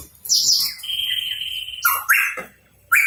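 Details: Hooded pitohui, known locally as cucak rawa papua, in full voice: a long level whistle, then sharp upward-sweeping notes, with brief silent gaps between phrases.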